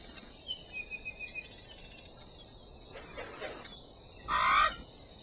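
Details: Hawaiian crow (Alala), the world's most endangered corvid, gives one loud, harsh, rising call near the end after a softer hoarse note; faint high chirps from other birds come earlier.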